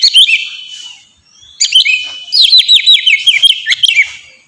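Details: Ngeplong-style song of an Oriental magpie-robin used for training pet birds: a brief whistled phrase, a pause, then a quick series of loud, sharply falling chirps and whistles.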